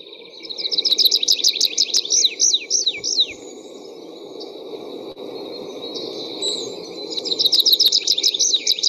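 Tree pipit song: rapid trilled series of high notes, then slower slurred descending notes, pausing before another fast trill; steady low hum underneath.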